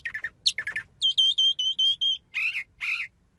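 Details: Bird singing with a burst of chattering notes, then a rapid run of clear, high whistled notes, and two harsh, rasping calls to finish.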